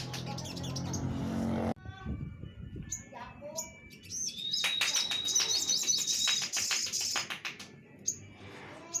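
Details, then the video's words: Orange-headed thrush singing a varied phrase of sharp chirps, short trills and one long steady high whistle over a busy burst of rapid notes, after a brief opening of low background noise. "suara masteran burung sogok ontong"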